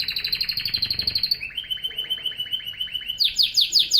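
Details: Fast, bright canary trill dropping to a lower rolling trill, then breaking into very high, sharp, rapid notes at the end.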